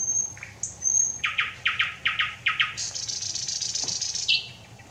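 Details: Thrush nightingale singing on 25 May: a high thin whistle, then a run of loud dry rattling notes about five per second, followed by a buzzy high trill and a falling whistled note.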